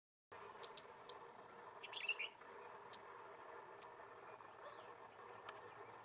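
Aberrant bush warbler sings thin, high, level whistles about every one and a half seconds, with softer chirps between, over a steady rushing background.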